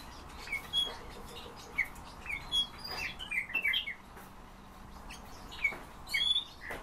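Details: Several European bee-eaters calling busily: clusters of quick, rolling, fluty notes, denser in the middle and near the end, over a steady noisy background.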